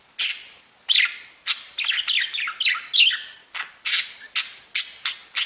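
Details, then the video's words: Singing budgerigars kept as pets: a string of loud, sharp, harsh chirps with a brief fast warbled passage in the middle, repeated about twice a second. "Веселое пение волнистых попугайчиков / Funny singing of wavy parrots"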